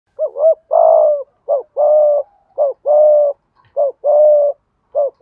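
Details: Spotted dove giving repeated low cooing phrases, short notes alternating with longer steady hoarse coos, phrases recurring roughly every second, clean recording with no other sounds.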